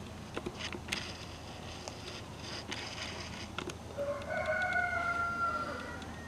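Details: Roosters in Hesperia at 06:15 in the early morning; after a stretch of background noise and knocks, one drawn-out crow rises and holds steady before fading, over a constant hum.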